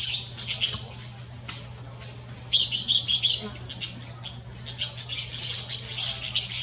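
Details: Golden-winged parakeet in the Brazilian Amazon: shrill, harsh squawking chatter in irregular bursts, scratchy notes overlapping as if several birds call together, with a steady low hum underneath.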